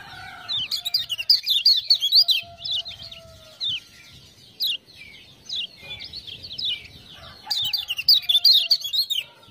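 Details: Lemon-bellied white-eye singing as a tutor bird after ciak-ciak prompting: dense high chirp runs at start and end, sparser notes between, with occasional low whistles and faint hum.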